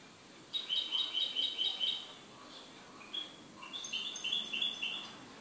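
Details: A goldfinch sings a rapid, rhythmic string of paired tinkling notes, pauses briefly, then delivers a second livelier run of ringing chirps over a soft hissy background.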